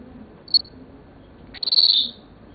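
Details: Male Senegal parrot, seven years old, a pet said to be talking: one brief sharp high chirp, then a harsher, rapidly pulsed high note about half a second long, in a quiet indoor setting.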